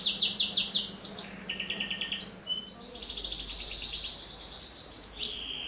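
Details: Canary singing to encourage young canaries: quick rhythmic trill bursts, a lower pulsed phrase, then long rolling buzzy trills ending in upward sweeps, with a faint low hum.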